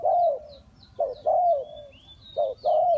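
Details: Spotted dove serving as a trap decoy, uttering a brief lead-in note followed by a long, slightly falling hollow coo, repeated twice, with a faint thin whistle of another bird above.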